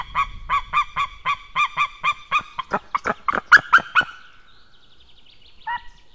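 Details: White-tailed eagles recorded 6 May 2016 at 18:31, male leaving as female comes in, perhaps calling at a stranger in the sky: a run of loud, evenly spaced yelping notes that grows faster and harsher, then breaks off, with one later note.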